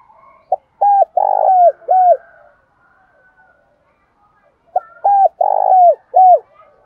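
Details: Spotted dove giving its urging 'thúc' calls and cooing, calling so that a house bird coos back vigorously. Two bursts of mid-pitched, hollow coos, each a run of about five short notes with one longer note. A quiet pause separates the bursts.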